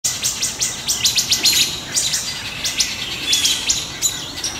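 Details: Wood thrush alarm calls while mobbing a juvenile great horned owl near its nesting area in woods, July 6 2019: rapid, sharp, clicky pit notes in irregular bursts, several birds calling together.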